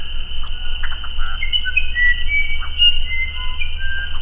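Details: Musician wren's melodic song of separate clear whistled notes stepping between higher and lower pitches, with quick scratchy chatters between them and a persistent deep hum underneath.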